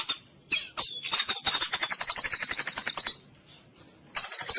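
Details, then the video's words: White-rumped shama in 'cililin' style song, recorded to train other birds: a few sharp introductory notes, then a long fast rattling high trill of about three seconds, a pause, and another trill beginning. "MASTERAN MURAI FULL CILILIN"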